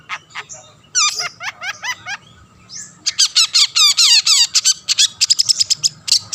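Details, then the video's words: Long-tailed shrike in rapid singing meant to spur rivals into song. Runs of slurred notes fall in pitch, then give way to fast, dense chatter that grows busier toward the end. "burung cendet gacor pendongkrak emosi lawan"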